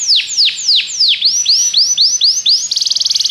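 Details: Belgian canary singing to draw other canaries into song: loud descending whistled sweeps, then rising slurred notes, ending in a very fast high trill.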